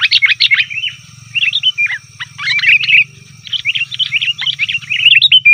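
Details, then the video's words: Excited chatter of sooty-headed bulbul for luring wild birds: three rushed bursts of bubbly, warbled notes with brief gaps, backed by a steady low hum. "suara burung kutilang ribut||ampuh untuk panggilan kutilang di hutan,kutilang di rumah pasti Nyaut"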